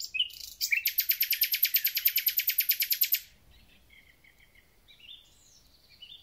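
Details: Thrush nightingale singing at the start of spring. A few sharp introductory notes lead into a long, rapid, machine-gun run of about twenty-five dry, loud pulses, followed by soft, thin, rising whistles.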